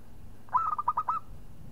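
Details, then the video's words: A local zebra dove, strong singer, calls out a rival: one phrase of about seven quick, hooked coos at an even pitch, lasting under a second, over quiet low rumble. "PERKUTUT LOKAL GAJOR JAGO MEMANCING LAWAN BUNYI"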